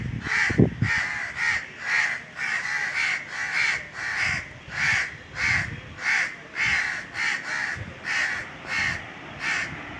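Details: Steady run of about fifteen rasping caws, roughly one every half second, from an Indian crow high in a tree on a hot summer day, with a few low knocks early on.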